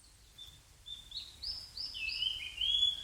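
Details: Rustic bunting singing one accelerating phrase: a few soft, high notes build into a rapid run of clear, sweet, slurred whistles that gets louder toward the end. A light low hum sits underneath.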